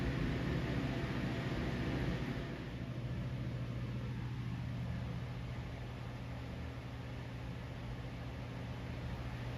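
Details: Steady engine rumble and hum from a vehicle. It is louder for the first two seconds, then settles to a constant drone, with no animal calls heard.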